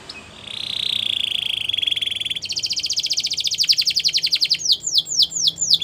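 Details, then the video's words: Belgian canary song for training young birds: a sustained whistled tone flows into a long rapid trill of pulsed notes that quickens, ending in a series of sharp descending chirps repeated about twice a second. "Canaries Singing | Belgian Canary Song"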